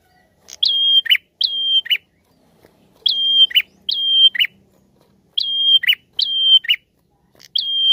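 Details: A prinia repeats its lure song in couplets: a rising flick, a drawn-out clear whistle, then a harsh buzzy chirp. About seven phrases follow one another in quick succession.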